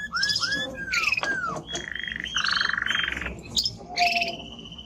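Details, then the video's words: Timbrado canary, strong male, singing arched slurred whistles, a buzzy rolled trill and bright high chirps in quick succession. "Canary singing Strong Bird - ذكر كناري تغريد نار"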